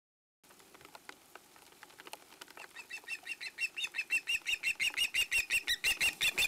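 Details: Hungry juvenile female osprey at a nest in Satakunta, Finland, in 2017, begging loudly for food while being weaned by her father before migration: rapid, regular squealing calls about three per second that grow steadily louder and shriller.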